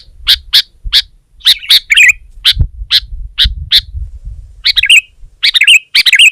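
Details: Sooty-headed bulbul in full aggressive song, pressing a rival bird. Sharp chirped notes come in steady runs, then break into denser bubbling phrases near the start and end. The background is quiet.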